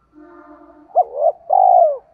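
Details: Spotted dove lure bird, giọng thổ voice, meant to set wild doves cooing; a single deep phrase, short hooked note then a long level coo, over a faint steady humming tone.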